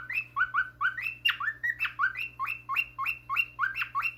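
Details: A pet cockatiel (Nymphicus hollandicus) makes baby-like begging noises for a crispy treat: rapid, rising, chick-like chirps, several each second.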